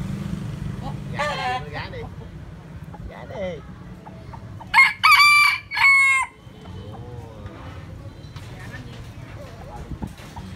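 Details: Rooster crowing: a distant crow early on, then a loud, close crow in three strong bursts with a final drawn-out note, a few soft clucks, and low background rumble.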